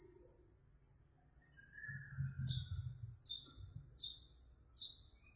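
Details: Long-tailed shrike clearly imitating Eurasian tree sparrow song: short, high, scratchy chirps repeated about every three-quarters of a second, faint against a steady low rumble.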